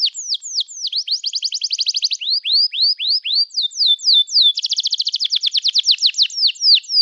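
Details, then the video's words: Energetic long canary song in the 'gacor panjang' style, used to coax young canaries to sing: falling whistles, a fast rattling trill, curved rising whistles, more down-slurred notes and another rapid trill. "Kenari Gacor Panjang Cuit Cuit Emosi, Pancingan Kenari Paud Belajar Bunyi"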